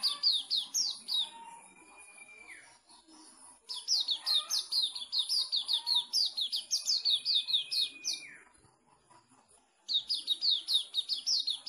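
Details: Sooty-headed bulbul owned by a Pemalang, Indonesia club member, with busy bursts of shrill downward-sliding chips. Twice these are followed by a long steady whistle that drops at its end, with quiet gaps between runs.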